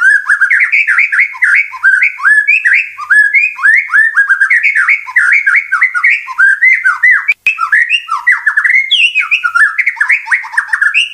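An Oriental magpie-robin sings a rapid, unbroken stream of varied whistles, slurred notes and harsh squawky phrases, mostly high-pitched, with one sharp click partway through.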